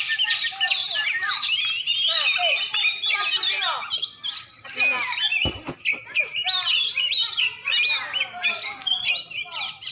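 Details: Oriental magpie-robin from Aceh, black-and-white champion type, singing a very high, dense jumble of twittering and squeaky notes, with a loud knock midway.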